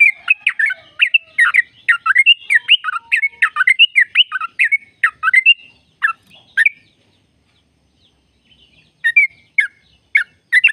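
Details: Sooty-headed bulbul in a lively ropel (long, busy) song used to stimulate caged birds into singing: a rapid run of chirpy, bubbling notes for six seconds, a brief pause, then scattered sharp notes.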